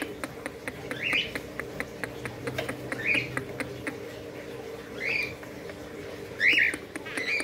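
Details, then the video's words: Budgerigar chicks about 40 days old give short, scratchy chirps around the upper-middle pitch, spaced every second or two, over a steady background hum with faint ticking. "anak burung parkit australia umur 40 hari"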